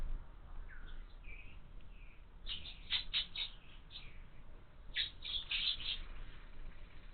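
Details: Two quick runs of sharp, repeated chirps come from house sparrow chicks in a feeder on a window, preceded by a few softer, lower notes.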